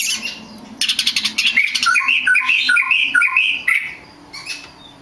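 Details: Lure song of an Oriental magpie-robin, played to make rival magpie-robins sing: a burst of harsh chatter, then a run of about a dozen rising and falling whistled notes, fading into quieter calls.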